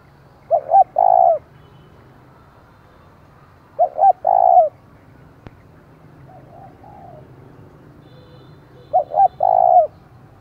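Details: Decoy spotted dove calling loudly to stir up rival doves: three phrases of two quick notes followed by a long sustained coo, spaced about four seconds apart, with a soft low hum beneath.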